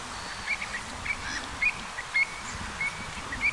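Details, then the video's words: Pied avocets calling in flight over the Golfe du Morbihan, Brittany, on 7 November 2021 in autumn: short, clear, fluty 'kluit' notes about twice a second, uneven in pace, over low wind rumble and distant noise. "AVOCETTES Élégantes/Cris en Vol"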